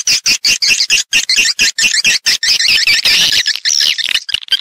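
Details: Swiftlets calling in a lure recording for nest houses. Short bursts of shrill twittering come roughly one and a half times per second, then merge into a longer continuous chatter.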